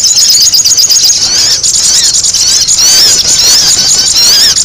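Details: Noisy sogon, a sunbird, recorded to lure birds. Thin high squeals and quick wavering twitters run on without pause, growing brighter and denser toward the end.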